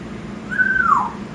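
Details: Six-month-old pet African grey parrot giving a single smooth whistle, held level then sliding downward, lasting under a second, with faint room hum behind.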